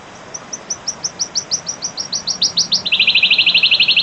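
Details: Wild wood warbler singing: a series of short, high, downslurred notes that speed up and grow louder over nearly three seconds, then break into a fast, shivering trill; faint background hiss.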